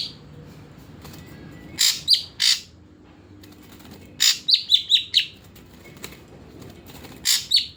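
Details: Caged ashy drongo on a care routine of morning and evening baths, then airing under a cage cover. Rough noisy bursts alternate with sharp falling whistles, including a quick series of four whistled notes mid-phrase and a final burst-and-whistle pair.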